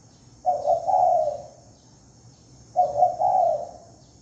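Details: Two cooing phrases from a spotted dove used for luring, each opening with two clipped notes and ending in a longer, softly falling coo, about two seconds apart over a faint steady hiss.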